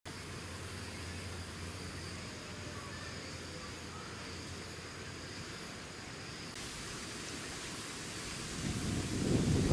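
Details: Even broadband rushing noise like wind or distant traffic, with a rumble swelling near the end and no animal calls.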